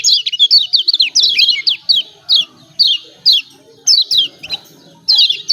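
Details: Lombok's yellow white-eye, kecial kuning, in 'ciak ciak' calls meant to draw out birds that will not sing: a fast opening series of high downslurred chirps, then single notes spaced roughly every half second.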